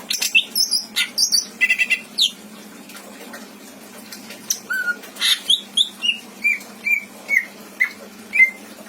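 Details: Caged greater green leafbird in Indramayu with rich mimicry fill-ins: fast squeaky high chattering notes, a pause, then a low whistle and a series of evenly spaced descending whistled notes about half a second apart.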